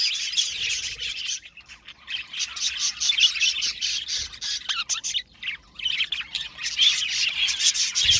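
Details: Budgerigar colony in an aviary bursting into loud, rapid squawky chirps and warbles, then going quieter for a few seconds before the busy chattering swells again.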